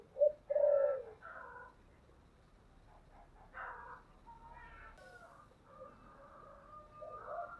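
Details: Spotted dove in the 'giọng thổ' voice style, giving 'thúc' and 'gáy gọi' calls: a brief low coo, then a drawn-out buzzy coo at the start. After that come faint mixed chirps, whistles and steady background noise.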